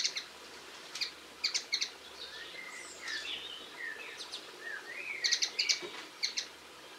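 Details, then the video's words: Linnets recorded on 22 March 2016: quick clusters of short, dry twittering notes come in bursts of three or four, with thin slurred whistles between them and a quiet outdoor background. "Linnet Birds - Video, Bird Song and Sounds"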